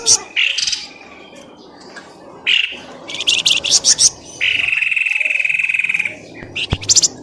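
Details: Lure recording to draw birds out of shrubs. Scattered squeaky chirps lead to a fast, rattling series of notes, then a long steady buzzing trill of about one and a half seconds, ending with sharp high squeaks.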